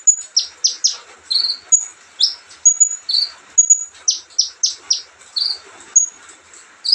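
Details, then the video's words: Olive-backed sunbird singing calmly: shrill high pips and strings of quick falling chips about once a second, with occasional buzzy slurred notes between them. "kicauan santai Kolibri ninja"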